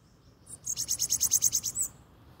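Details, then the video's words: Bananaquit, described as an unusual-sounding individual, singing in the morning: a rapid run of about ten high, thin, buzzy notes given evenly in under two seconds. The background is quiet. "SIBITE ESTRANHO DEIXANDO SEU BOM DIA"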